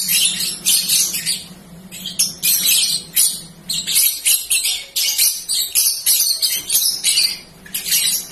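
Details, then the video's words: A young, still-in-training balibu canary pours out a rambling, high, tinkling warble in quick bursts, with a low hum under the first half. "Balibu Bahan Konslet Lagi Nglantur Ngalor-Ngidul"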